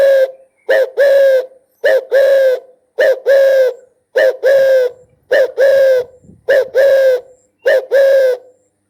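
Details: Spotted dove cooing steadily: seven evenly spaced two-note phrases, a short hoarse coo followed by a longer, deeper drawn-out coo, repeating about every 1.2 seconds in a quiet background.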